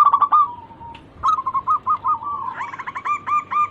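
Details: Local zebra dove singing to entice others to call: a short rapid coo, a gap, then a string of spaced bubbling notes building into a fast hooked run.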